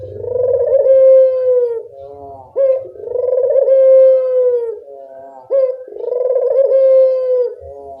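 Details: Barbary dove (burung puter) calling vigorously, a recording meant to get a quiet dove to call: long rolling low coos, each ending in a short sharp upslurred note, repeating roughly every three seconds in a quiet room.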